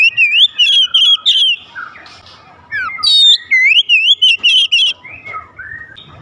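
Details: Oriental magpie-robin singing to provoke other magpie-robins into song: rapid series of bright, wavering whistles and warbled trills repeated in quick bursts, with downslurred notes and a brief quieter pause midway.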